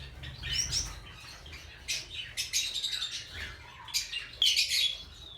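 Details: A colony of Java sparrows, including fawn birds, kept indoors: several give high, tinkling chirps and bell-like notes in overlapping bursts amid soft indoor background noise.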